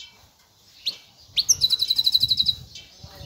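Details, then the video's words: Goldfinch hybrid, called meli or bunduq, gives two brief rising chirps, then a fast, regular, high trill of about a dozen notes lasting roughly a second, over faint background rustle. "هجين طائر الحسون,يبدع بالتغريد الجميل,(ميلي او البندق)"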